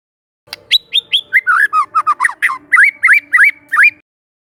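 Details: Young forest White-rumped shama, used to train other birds, sings a fast series of high whistled notes shifting into lower, downslurred and upswept whistles, each note sharply separated.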